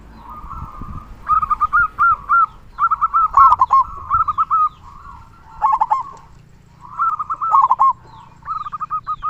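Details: Active local zebra dove singing a deep 'kung' song: dense run of rolling, bubbling coo phrases with short gaps, overlapping with a second dove's similar phrases.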